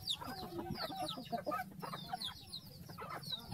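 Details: Flock of farm chickens happily eating: a busy mix of quick high chirps and falling peeps over soft clucking and pecking taps, with constant low background rumble.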